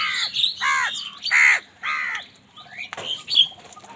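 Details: Four rasping caws, roughly half a second apart, from crows angrily fighting for food, followed by a thinner squawk and scattered chirps.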